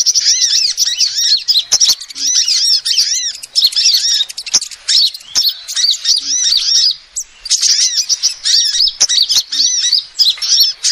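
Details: Female sunbird calls used as a lure, with long runs of bright, high, rapidly repeated curved chirps forming a busy twitter, briefly pausing around the middle, with sharp clicks.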